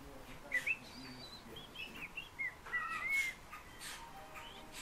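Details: Fieldfare singing: short squeaky whistled notes and slurred upward and downward phrases in a loose, uneven string, with brief clicks and a quiet background.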